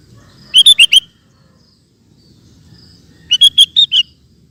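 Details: Sooty-headed bulbul (kutilang) singing in a recording used to teach caged birds: two rollicking phrases of four to five liquid whistled notes each, nearly three seconds apart, with faint low hum.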